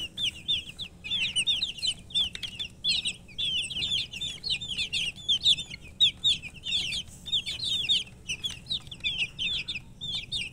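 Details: Group of chicken chicks (murgi) chirping nonstop: high, thin, downward-sliding peeps in fast overlapping runs, several birds together, with faint clicks and light background hiss throughout.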